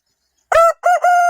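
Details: A rooster crows in the morning, crowing non-stop: out of silence comes a loud, rich, nasal burst, a brief dip, then another strong harmonic note held steadily and cut off mid-crow.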